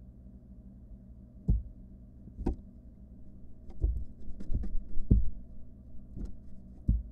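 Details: Low background hum with a series of dull thumps and knocks at irregular intervals, roughly one per second; no calls or cries are heard.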